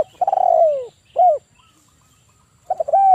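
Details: Male spotted dove, a lively caller of the 'kuk 1' style kept as a lure for trapping birds, gives low hollow coos: a stuttered opening rolling into a long falling coo, a short clipped coo, then another stuttering phrase.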